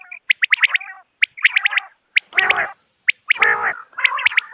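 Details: Common quail calling, a clear natural call used by hunters to draw birds in: crisp whistled notes in quick clusters of two to four, mixed with lower buzzy, nasal bursts, with short pauses between groups.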